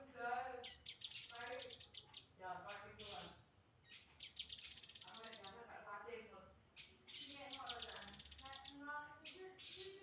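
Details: Grey-headed canary-flycatcher singing three high, fast, trilled phrases about three and a half seconds apart. Mid-pitched harmonic notes surround each phrase.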